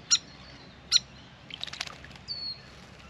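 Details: Grey fantail (Rhipidura albiscapa), a hyperactive, vocal visitor at a backyard birdbath, around a long bath: two sharp, high chip notes about a second apart, then a brief cluster of squeaky ticks and a thin high whistle.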